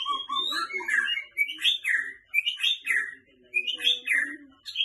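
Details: White-rumped shama singing: a rich, varied run of whistled and warbled phrases, rising and falling, with quick bursts of high chattering notes and brief pauses between phrases.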